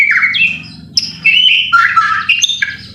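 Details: White-rumped shama lure singing, aimed at provoking a bird into song: short harsh, squawky notes and slurred whistles in uneven bursts over a low background hum.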